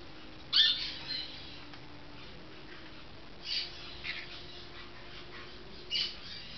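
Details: Captive pet golden-winged parakeet (Brotogeris chrysoptera) at bath time, giving harsh, scratchy squawks, three short bursts spaced about three seconds apart, over a quiet indoor background.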